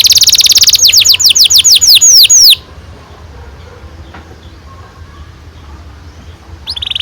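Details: Canary singing a long rolling song used to stimulate young canaries to sing: a run of quick, high downslurred notes repeated about three times a second for over two seconds, then near silence before a brief high burst at the end.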